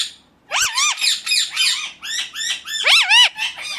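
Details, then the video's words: Continuous string of harsh, screechy parakeet notes, about four a second, each swooping up and down, from an Indian ringneck. "ringneck 🦜 natural sound"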